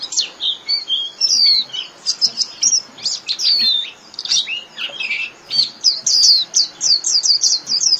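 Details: 'Líu' style song of a Japanese white-eye, meant as daily training for caged birds: varied high whistles, slurred downward notes and squeaks, building into a fast, even string of bright chirps at the end.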